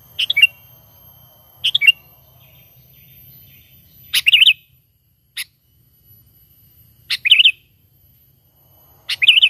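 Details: Sooty-headed bulbul natural call, used as a lure for trapping birds. Short, bubbly, warbled phrases recur at uneven gaps of one to three seconds, five in all. Each opens with a sharp click-like note, over a faint low hum.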